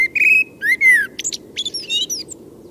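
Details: Common Blackbird singing after midnight, with beautiful fluted whistles. Low, mellow whistled phrases slide downward. They are followed by a string of high, thin, scratchy twitter notes, over a steady low background hum.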